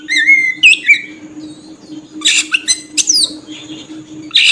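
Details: Oriental magpie-robin lure song for attracting birds: sweet whistled notes at the start, then harsh raspy bursts and short squawks mixed with brief whistles, over a low continuous hum.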